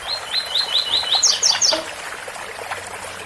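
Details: A double-collared seedeater delivers its tui tui bitola song near cascading water: about six fast, evenly spaced swooping notes, then three sharp higher buzzy notes, leaving steady water noise.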